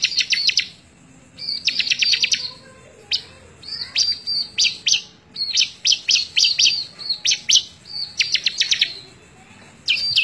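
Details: Bar-winged prinia in rich song, May 2017, for teaching other birds: repeated high bursts of quick staccato chips mixed with whistled slurs, phrases roughly a second long with brief silences between.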